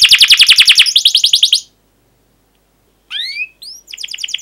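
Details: Canary chirping hard to spur other canaries into song: a burst of evenly spaced sharp chirps, then a faster run, a pause of silence, two rising whistles, and a closing twitter.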